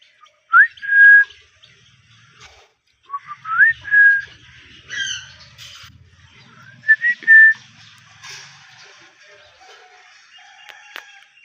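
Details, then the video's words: Described as a talking Ringneck parrot, it repeats a learned whistled phrase three times: a low note sweeping up into a sustained steady tone. Softer chattering notes and a low indoor rumble run between the phrases. "Talking parrot natural 🦜sound Ringneck parrot🦜❤"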